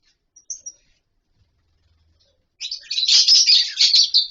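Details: After a few faint high peeps, a captive lovebird colony breaks into a loud, continuous stream of shrill, buzzy chirps lasting nearly two seconds.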